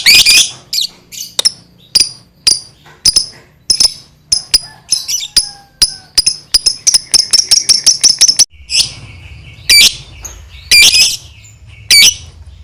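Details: Lovebird in 'ngekek panjang' long-chatter style, used to stir other lovebirds to call: a string of sharp high ticks speeding into a rapid run, then a pause and a few louder harsh squawks.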